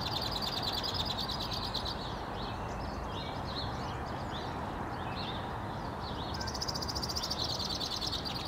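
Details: A male White-winged Crossbill, one of at least four, sings in spruce-lined residential streets of NW Regina, Saskatchewan, Canada, on April 3, 2017, while females carry nesting material. Long, dry, rapid trills alternate with a varied, warbling stretch of chips over a steady low rumble of wind or traffic.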